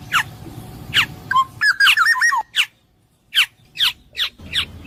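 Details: Kepodang emas, the black-naped oriole, alternating harsh descending nasal notes with a rich, wavering whistled phrase in the middle, then a short pause and further rasping notes.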